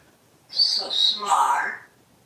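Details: Pet parrot indoors, kissing its plush toy parrot and telling it to be quiet; one short spoken-sounding phrase of about one and a half seconds, bright and fairly high-pitched, in a quiet room.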